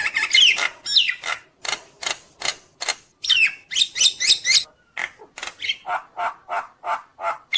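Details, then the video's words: Nias hill myna singing a full, varied song meant to provoke other mynas; harsh chattering notes and whistles, then an evenly spaced series of loud nasal calls about every third of a second. "jalak nias gacor full isian bikin jalak lain emosi"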